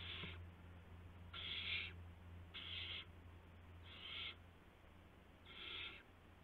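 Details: Owls at a nest at night, around midnight on March 19 2016, as adults bring a gopher and mice to the owlets; harsh, hissy bursts of about half a second repeat roughly every second or so, over a steady low hum.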